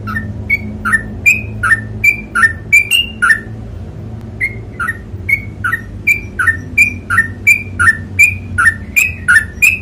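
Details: Sooty-headed bulbul singing a long rapid 'ropel panjang' song: a steady run of short whistled two-note phrases, a lower note sliding into a higher one, repeated about three times per second with a brief pause midway, over a low background hum.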